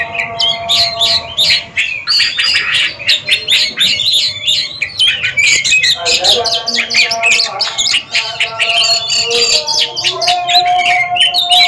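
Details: Oriental magpie-robins singing against each other in a competition: long, busy stretch of overlapping chirps, trills and whistles, dense and high, over steady humming tones.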